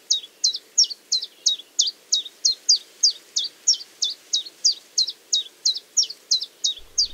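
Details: A male common chiffchaff (Phylloscopus collybita) sings its steady chiff-chaff song by a small river in nearly mid-July, about three clipped, high, alternating notes per second over faint hum; he sings all day, morning to evening.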